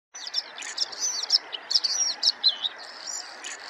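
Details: Bluethroat singing a rapid, varied run of high twittering notes, short sweeping whistles and buzzy trills in quick bursts, loud and close against a quiet background.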